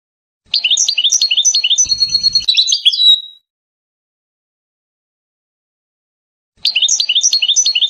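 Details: European goldfinch singing flawlessly: a quick series of high, liquid chirps closing in a drawn-out buzzy trill, then a pause of several seconds before the same bouncing phrase starts again.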